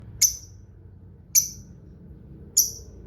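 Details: Lovebird giving three short, sharp high chirps spaced about a second apart, each a bright downward-sweeping note, used as a lure to make other lovebirds answer.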